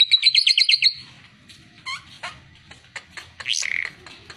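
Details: Oriental white-eye used as a tutor for other birds: a fast, bright twittering trill opens, followed by scattered soft chips and a short buzzy rising-then-falling note.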